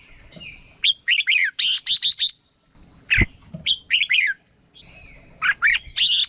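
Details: Red-whiskered bulbul vocalising for decoy use or to get birds excited: clusters of loud, clipped whistles and chattery notes with gaps between them, one sharp click-like pop midway, over a continuous high-pitched whine.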